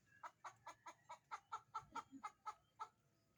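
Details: Chicken clucking in a steady series: about a dozen short, nasal 'bok' notes repeated a little over two per second, with soft background rustle.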